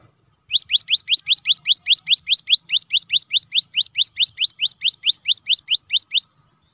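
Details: Cinereous tit (gelatik batu) song, used as a lure to prompt other birds to sing: a long, steady run of sharp upslurred whistled notes, about two and a half per second, on a quiet background.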